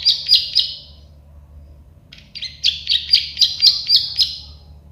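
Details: Plain prinia (prenjak sawah, klik-klik bird) in a training recording: a short burst of dry clicking notes, a pause of over a second, then a longer run of rapid buzzy clicks about four per second.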